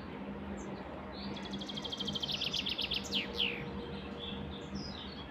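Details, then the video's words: Canary singing a burst of rapid, high, evenly repeated trill notes, then a few quick downward-sweeping notes, with fainter chirps before and after over a steady low hum and a thin constant tone. "Canary Singing"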